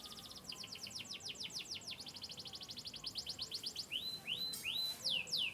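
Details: Chirping canary descended from Yorkshire birds of Turkey and the US: a long rapid trill of evenly repeated notes, ending in slower rising and falling whistled sweeps.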